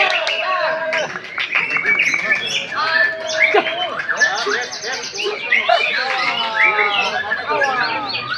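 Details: Oriental magpie-robin, a young murai batu aged one year four months, delivers a busy torrent of whistled slurs, rapid trills and sharp chips, with other overlapping noises filling the background.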